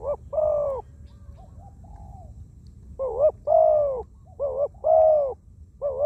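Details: Wild spotted dove trained as a decoy on the ground, cooing often: low two-part phrases of a quick wavering note and a longer steady coo, with a softer faint coo in a pause between them.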